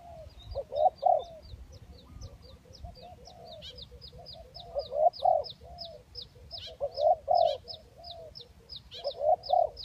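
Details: Spotted dove lure recording, 'kacuk' and 'kampung' types: groups of mellow coos recurring every couple of seconds, accompanied throughout by rapid, regular high thin chirps from another caller.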